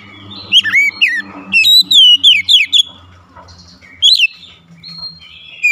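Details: Vigorous oriental magpie-robin song with rapid, varied whistled notes. Swooping slurs and high upswept chips come in dense bursts, then a quieter pause and a few more clear whistles, over a faint low hum.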